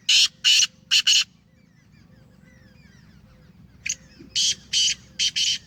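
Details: A home-bred black francolin of the Sheedi line gives four rough, buzzy notes. After a pause it gives a second series of five notes. Faint chirps are heard in between.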